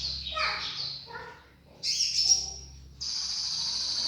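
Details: Sooty-headed bulbul, locally konin, in energetic song: a jumble of descending chattering notes, a short pause, then loud high chirps and a sustained high whistle running to the end.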